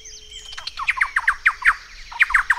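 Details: Thrush-like wren in Peru: a rapid series of loud, harsh, slurred notes, each dropping in pitch, repeated about four times a second in two bursts, with a faint steady whistle underneath.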